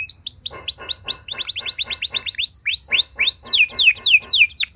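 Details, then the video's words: Canary song meant to prompt other canaries to sing: steady stream of bright arched whistles repeated about four per second, later turning into longer downward slurs. "Pancingan Ampuh Bikin Gacor Do0r Langsung Nyaut Burung Kenari Lain Segala Kondisi!"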